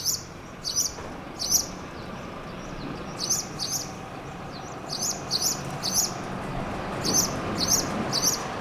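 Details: On Tenerife in April, a Spanish Sparrow chirps from an abandoned building around midday; bright, high single and paired chirps in irregular bursts over a soft background hiss.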